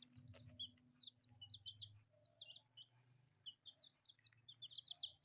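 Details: Newborn pet chicks, four of them in bright colours, peep continuously: shrill, quick descending chirps tumbling over each other, over a faint low background drone.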